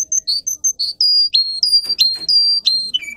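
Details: Singing Russian canary for tutoring young canaries: short high chips give way to long held whistled tones, a few stepping down in pitch, with some faint clicks.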